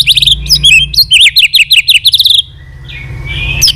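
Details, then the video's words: White-rumped shama giving continuous tạch song, used to rouse a low-spirited shama: rapid series of loud, sharp whistled notes wavering high, tightly repeated for over two seconds, then a thin drawn-out whistle. "Chòe lửa tạch liên tục.dùng Kích Chòe Lửa yếu lửa"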